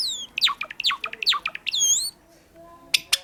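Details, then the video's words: Pet Java sparrow of the sakura variety giving bright descending chirps in quick succession, a rising-falling whistled note, then two sharp clicks after a short pause. "桜文鳥ほーちゃん！さえずる！ さえずり文鳥動画 Java sparrow chirping"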